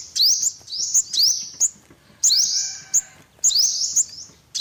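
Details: Olive-backed sunbird calls: separate bursts of high, thin upward-slurred notes, each with a sharp click-like accent, about once a second.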